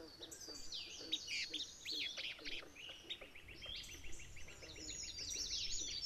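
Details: Territorial dispute in Maine between a pair of alder flycatchers and a rival: a rapid, irregular stream of sharp high chirps, several per second, from more than one bird, with low background rumble.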